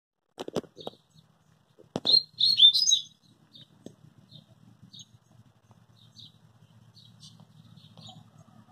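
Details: Rusty-collared seedeater giving one short, rapid phrase of high, twittering notes lasting about a second. Scattered dry clicks and knocks precede it, with faint low rumbling throughout and a few soft chips afterwards.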